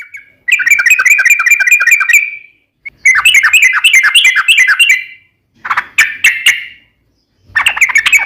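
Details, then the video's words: Sooty-headed bulbul, called trucukan, giving long ropel song bursts: fast rippling chattering phrases separated by short silences, with a few sharp chirps between them. "SUARA trucukan gacor ropel panjang PANCINGAN TRUCUKAN agar bunyi"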